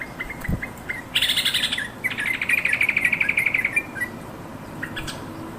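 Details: Yellow-vented bulbul calling its companions, played to coax caged birds into song; a few soft notes lead into a loud rapid chatter, then a long trilled run of bubbly repeated notes.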